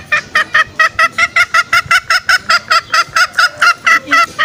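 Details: Green junglefowl lure call for trapping, meant to bring wild males out: an even train of short, nasal, harmonic notes repeated roughly four times a second without pause.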